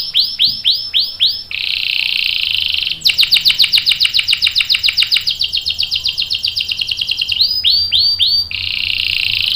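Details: Energetic canary with a long rolling song, used as a lure and tutor: slurred notes, then a long rapid roll of sharp repeated notes, and slurred phrases again.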